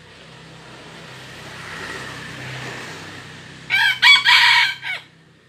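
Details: Steady low hiss and rumble fill several seconds before a red junglefowl gives a quick, broken crow of three to four clipped parts near the end.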